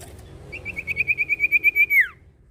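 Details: Common iora from Indonesia singing: a rapid, even trill of about thirteen high pulsed notes at a steady pitch, swelling in loudness, then closing with a louder downward-sliding slur; faint clicks before it starts.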